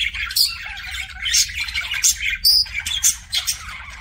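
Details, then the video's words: Budgerigar kissing sounds from a pet bird: quick squeaky chirps and sharp high whistled notes mixed with soft clicking, spaced in uneven bursts over a faint low hum. "BUDGIE KISSING SOUNDS"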